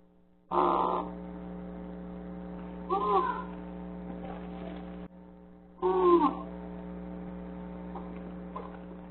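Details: A female eclectus parrot, straining to lay an egg inside a dark nest box, gives three short, strained, whining whimpers about every two to three seconds, with a few fainter squeaks, over a steady electrical hum.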